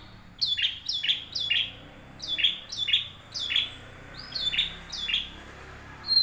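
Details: Young wild long-tailed shrike, song used to lure caged birds into singing; rhythmic pairs of harsh, down-slurred chattering notes repeated in short bursts with brief pauses.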